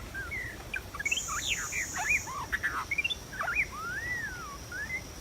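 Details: A white-rumped shama in the wild, recorded during trapping, sings a lively varied song of sweeping whistles, quick chirps and looping slurred notes, ending with long arched whistles, over a steady high buzz.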